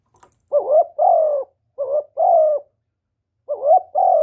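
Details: Spotted dove giving its call and coo, meant to rouse newly kept doves: three rough paired phrases, a short rising note followed by a longer level-to-falling coo, with clear pauses between, no background noise.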